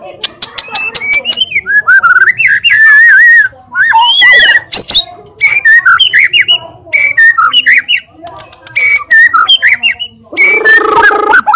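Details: Energetic white-rumped shama song packed with loud 'tembakan' fill: a rapid stuttering of high clicks, then varied warbled and whistled phrases, swoops and chattering notes in quick succession, closing with a dense harsh passage.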